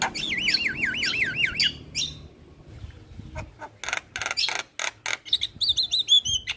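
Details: Javan myna singing vigorously: a rapid trill of wavy, yo-yoing whistles, a pause with faint low noise, then bursts of harsh squawky notes and a closing series of descending slurred whistles.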